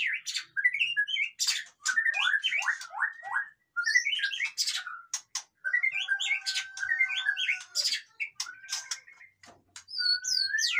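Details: Captive white-rumped shama singing, played to rouse lazy caged birds into song: rich varied whistled phrases with rapid slurred notes and sharp clicks, delivered in bursts separated by short pauses.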